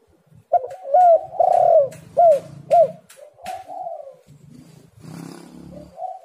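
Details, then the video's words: Lure recording of a spotted dove to get lazy birds calling: five loud, downward-hooked coos in a rapid series, then softer trailing coos, with rustling and knocking noises near the end. "tekukur super gacor Suara HAS pancingan untuk burung yang malas bunyi"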